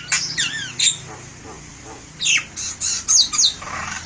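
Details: Jalak kebo, or buffalo myna, singing loudly as a lure bird: harsh squawks and sweeping whistled notes in short bursts, with quiet gaps between phrases.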